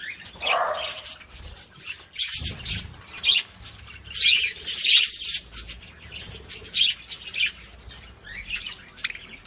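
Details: Budgerigar song to stimulate other budgies: rhythmic bouts of scratchy, squawking chatter and high chirps, swelling and fading every second or so.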